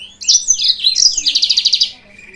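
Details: Yellow-fronted canary song used as a lure to provoke rival birds: high twittering phrases of sliding notes, then a fast even trill of about ten buzzy notes lasting under a second, ending in a faint thin whistle.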